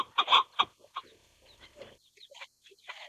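Chukar partridge giving harsh, clucking chuck notes in quick bursts, loudest at first and then softer and more scattered.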